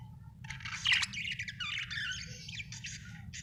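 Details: Budgerigar kept as a happy pet, giving a continuous run of chattering, warbling chirps with quick squeaky notes and a louder burst near the start, over low background hum.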